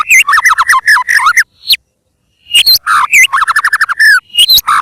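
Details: Lively white-rumped shama (murai batu) song for use as a lure: tumbling whistled phrases and chips, a gap of about a second, then more rapid slurred notes and sharp rising whistles.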